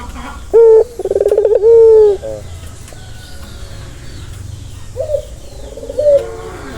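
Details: Turtle dove giving a relaxing coo meant to soothe a stressed bird: a short tone, a rolling pulsed stretch, then a long steady low note, followed by a softer second coo after a pause.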